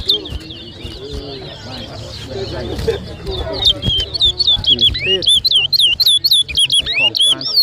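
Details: Towa towa seed finch whistling in a 2023 head-to-head competition at New Amsterdam, Berbice, Guyana; murmuring crowd at first, then a loud run of sharp, hooked whistled notes repeated several times a second.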